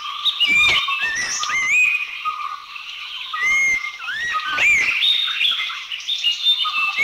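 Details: Abbott's Babbler recorded in Thailand: short, bright whistled phrases, some sliding upward and others dipping, spaced irregularly against a steady hum of insects and distant birds.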